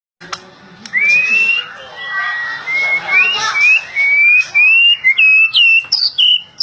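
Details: Young white-rumped shama, a Jambi-type bird, singing a run of clear whistled phrases, each note sliding upward and repeated about twice a second, climbing higher toward the end, over a busy background of other birds.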